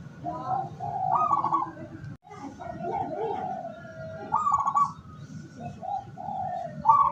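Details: Local decoy zebra dove kept to lure wild doves, recorded 17 August 2023: repeated phrases of soft cooing notes that run into quick trilled, rippling endings, several phrases in a row, with a low rumbling background and faint voice-like sounds.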